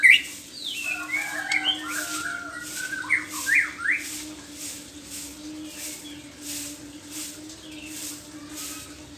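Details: ['In the morning a white-rumped shama gives several rich whistled phrases with quick up-and-down slurs during the first few seconds, then falls mostly quiet; a constant low hum continues throughout.']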